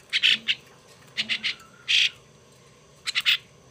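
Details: Young hand-raised pet starling, a gift now being tamed and cared for, giving short harsh raspy squawks, singly and in quick clusters of two or three, with quiet pauses between.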